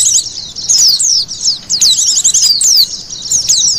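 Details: High white-eye twittering meant to attract wild birds: quick thin chirps and sweeping down-slurred whistles in lively, tightly spaced phrases.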